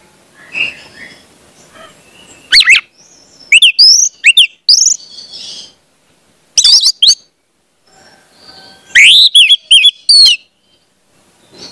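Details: Song of an orange-headed thrush meant to coach juvenile birds into singing: sharp high whistled flourishes in three separated bursts of quick varied notes, with faint softer twitters and calls between them.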